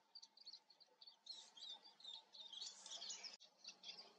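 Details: Eurasian siskin observed in front of the camera: quiet, high twittering and chattering notes, bursts of thin chirps clustered together, with a faint steady hum low in the background.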